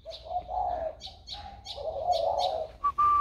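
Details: Spotted dove recorded 16 February 2020, a bird whose warm-toned voice has newly developed; low, soft, mellow cooing phrases swell and fade twice, overlaid by short high chirps from other birds and ending with a thin, steady whistled tone.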